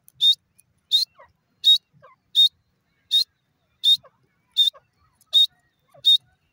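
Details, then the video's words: Francolin calling with loud, harsh, ringing bursts repeated steadily about every 0.7 seconds, nine in a row, with faint low chirps between them. "teetar ki lovely awaz"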